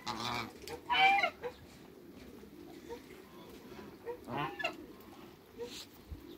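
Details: African geese in a backyard flock of two males and a female, alongside other waterbirds, give a couple of harsh honks early, then scattered softer calls over background noise.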